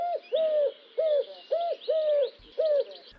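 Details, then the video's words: A Eurasian collared dove sings its simple repeated three-note "cuckoo-coo" phrase, a low, soft, hollow cooing with six smooth arched coos about half a second apart, over a faint high hiss. "The collared dove's song is a simple repeated phrase of just 3 notes."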